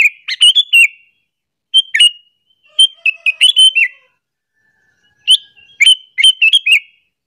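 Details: Sooty-headed bulbul calling, used to lure other bulbuls and provoke them; bursts of bright chirpy, bubbling whistled notes around two to four thousand cycles, in three groups separated by short silences.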